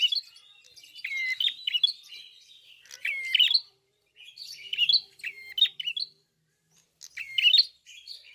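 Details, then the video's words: Singing red-fronted prinia, a good-quality bird with its bill open: clusters of high, rapid twittering and buzzy notes punctuated by short clear downward whistles, phrases repeated every couple of seconds with gaps between. "BUKA PARUH FULL GACOR BURUNG PRENJAK KEPALA MERAH/KLAWU"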